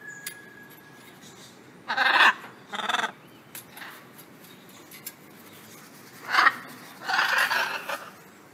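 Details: Wild blue-and-yellow macaws gathering daily for food, a run of loud rasping squawks in uneven bursts, some doubled, roughly half-second calls separated by pauses of one to three seconds.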